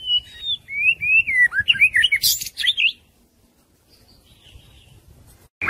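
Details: Young white-rumped shama singing a wild-style song while being voice-trained: varied whistled phrases sliding between mid and high pitch, with quick twittering notes and a sharp buzzy burst, about three seconds of song and then near silence.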